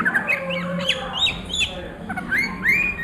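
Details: An Oriental magpie-robin at midday singing ngriwik, with short chirps and slurred whistles in an irregular series, ending in a rising whistled note, over a faint low hum.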